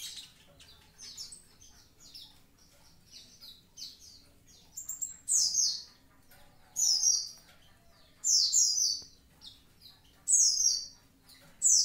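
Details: Javan pied starling singing: soft scratchy chatter builds into loud, piercing downward-slurred whistles repeated roughly every one and a half seconds.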